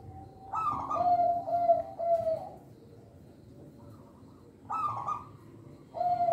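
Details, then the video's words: Local zebra dove song, used as a lure for young birds and to coax caged doves into singing. A burst of rapid pulsed coos dropping to lower drawn-out notes, a quiet pause, then the next phrase begins. "Perkutut Lokal Suara Istimewa, Pemikat Bakalan"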